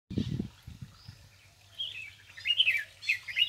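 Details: A bulbul after taking a bath in Palia Khurd gives short, bubbly, liquid chirps in quick rising-and-falling bursts. A few low thumps and knocks come before the calls begin.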